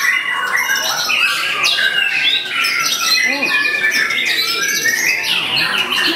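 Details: White-rumped shama singing a rich medley of imitated phrases while staying in one place: loud chattering, whistled and rattling notes in quick succession, with faint human voices underneath.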